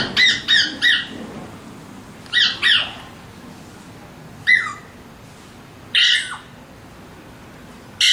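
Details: Alexandrine parakeets give harsh, raspy squawks in short bursts: a quick triple near the start, a pair around two and a half seconds, then single screeches at intervals, with a faint cut-off call at the very end.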